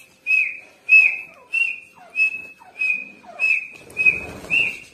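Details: Female grey francolin calling on 29 November 2022: high, clear whistled notes repeated steadily about every 0.6 seconds with soft slurred undertones, and a burst of rough background noise near the end.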